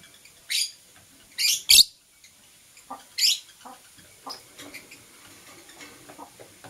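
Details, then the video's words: Green and blue Personata lovebird in the morning, producing harsh, rasping squawks in quick pairs, followed by softer scratchy chatter fading into quiet. "Lovebird Singing and Chirping Sounds - Green & Blue Personata"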